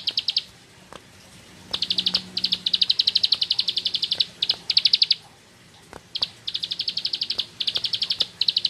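A bar-winged prinia sings bursts of rapid, high, ticking notes, each run lasting about a second, with brief pauses and faint clicks between.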